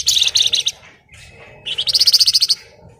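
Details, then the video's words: Javan fulvetta singing in the tight ngebren style, two quick bursts of sharp, high chipping notes, the second a crisp run of about ten evenly spaced notes, close and clear. "Burung Flamboyan Gacor Ngebren Rapat/ Wergan Jawa"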